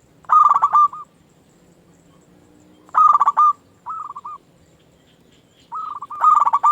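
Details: Singing local zebra dove, played to lure and stir other doves: loud staccato cooing bursts open each phrase, followed by softer evenly spaced coos, with the pattern repeating about every three seconds and little else heard.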